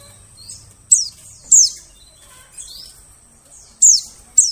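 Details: White-eye calls played as a bird-catching lure in the forest: loud, piercing high notes falling steeply in pitch, given singly or in pairs with pauses of about a second, over a faint hum.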